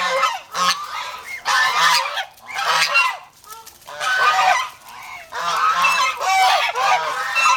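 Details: A protective flock of domestic geese in the Philippines gives harsh, rasping honks in loud bursts, separated by brief quieter gaps.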